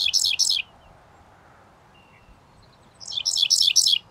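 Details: An adult male Dickcissel singing from a farm field in Seneca County, New York, on May 25, 2024, gives two dry, buzzy song phrases of sharp, stuttering chips about three seconds apart, over a quiet low background rumble.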